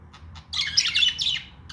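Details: One warbling, chattering budgie phrase of scratchy chirps lasting about a second, preceded by two faint clicks.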